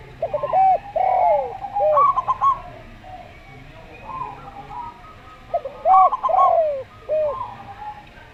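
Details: Zebra dove, a local bird, giving slow-style song: two phrases of quick stuttered notes and bending coos separated by quieter, level cooing.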